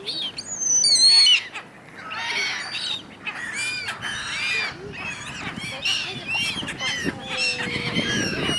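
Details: Many gulls arguing on the Dnipro River in Kyiv, Ukraine, in January: a loud cluster of shrill squeals opens, followed by a steady jumble of overlapping screechy cries, with a low drawn-out tone near the end.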